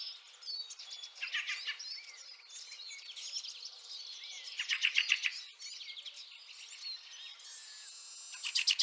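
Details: In snowy Liepāja, Latvia, March 2023, a Fieldfare gives rattling chack bursts amid a continuous background of high twittering and chattering birds.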